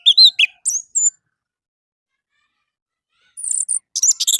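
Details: Orange-headed thrush morning song as a lure to set caged birds singing: several bright slurred whistles and chirps, a pause, then a dense rattle of very high notes and scratchy chirps.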